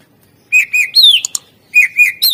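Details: Greater green leafbird song: bright warbled whistles rising and falling in pitch, with quick ticking notes between phrases, then the warbling phrase repeats.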